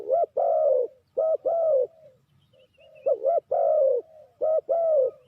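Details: ['Loud, repeated low cooing of a spotted dove kept as a trapping lure: short note plus long slurred coo, given in pairs twice, separated by a brief quiet gap with faint coos.']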